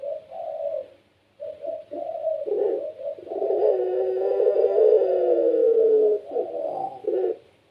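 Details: Puter pelung Barbary dove kept as a pet, cooing energetically to get other doves to answer. Several short broken coos lead into a long drawn rolling coo of about three seconds, then two quick closing notes.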